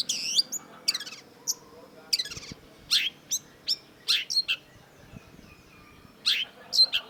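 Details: Long-tailed shrike song of scattered sharp, high chips and short buzzy bursts, irregularly spaced with brief pauses between notes.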